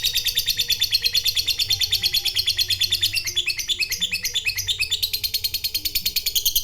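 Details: Continuous fast chattering trill of a fighter lovebird in 'ngekek panjang' style, aimed at provoking a rival; harsh high notes repeated several times a second without a break.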